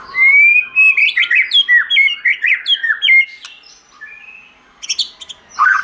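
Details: Rich whistled forest-style song, giọng rừng, from a white-rumped shama: a rapid string of about a dozen fluty, dipping notes, a pause, then a few high ticks and a final warbled phrase.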